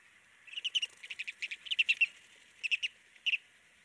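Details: Turnstone, a shorebird in Trinidad, gives its very distinctive hard, staccato chatter: fast bursts of sharp, high clicking notes, three quick runs in about four seconds, with nothing else heard.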